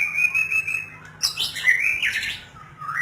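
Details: White-rumped shama song: a steady whistled note held for about a second, then a quick jumble of high chirps and rising slurred whistles, over a faint low hum.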